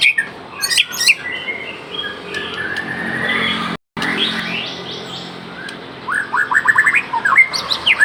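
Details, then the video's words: White-rumped shama (murai aceh) in lively song: scattered whistles early, a brief gap, then a fast series of rising whistled notes repeated several times at the end, over steady background hiss. "murai aceh gacor door isian melimpah"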